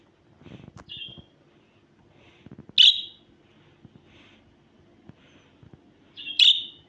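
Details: Budgerigar producing sparse high chirps: a faint one early, then two loud sharp notes several seconds apart, among soft thumps and rustling.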